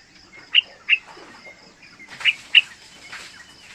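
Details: Young yellow-vented bulbul, about three months old, sings as a lure for training other young bulbuls: four short, clear notes in two well-spaced pairs, with a faint rustling background.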